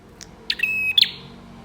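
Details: Bar-winged prinia song meant to set other prinias singing: a faint chip, then a clicking start, a level high trill and a bright end note, over soft background hiss.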